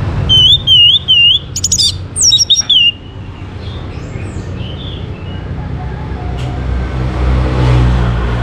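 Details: Orange-headed thrush song played to encourage other birds to sing. It opens with looping whistled phrases and a sharp rattle, then gives way to low rumbling background noise with faint distant chirps.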